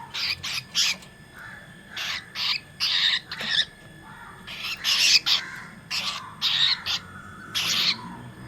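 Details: Cockatiel; squawks; aggression during a fight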